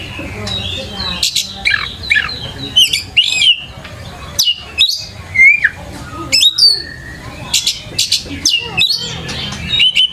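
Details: Long stretch of Oriental magpie-robin lure song for young birds learning to sing: rapid whistles, squeaky slurs and scratchy chattering phrases arrive in dense, irregular bursts.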